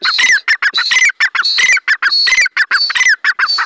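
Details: Grey francolin calling as it is set free: strident, grating notes repeated in quick bursts, each phrase opening with a thin high whistle before the harsh squawks, steady and loud throughout.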